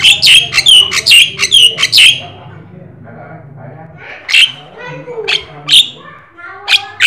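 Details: Black-winged starling, called jalak kebo or jalak sungu, in lively gacor singing used as a lure or master to get other birds singing: a run of loud harsh squawks and bright notes over two seconds, then quieter pause and scattered sharp calls.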